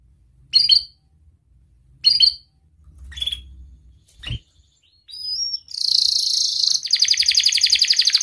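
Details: Canary song used to prompt quiet canaries: scattered isolated high chirps and a click at first, then a sustained buzzy high trill building into a rapid rolling trill.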